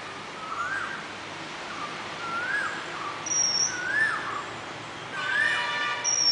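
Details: Oriental magpie-robin singing at a bird bath, with mellow mid-pitched rising whistles alternating with brief high thin notes and one richer, harmonic phrase near the end, over faint outdoor background noise.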